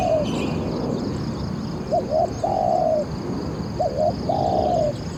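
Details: Caged Spotted dove used to lure wild doves into a trap, with a voice praised as very good: a tail of one coo, then two full phrases of a quick doubled note and a long, slightly falling hoarse coo.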